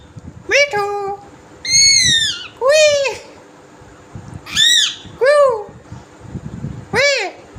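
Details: Naughty pet green parrot producing varied squawks, falling whistles and rising harmonic calls, about seven bursts in under eight seconds, against steady room noise.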